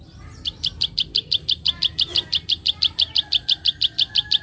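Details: Rapid 'klik' calling of a prinia, played to stir untrained birds: fast, evenly spaced, sharp high click notes about six per second, with faint softer chirping behind.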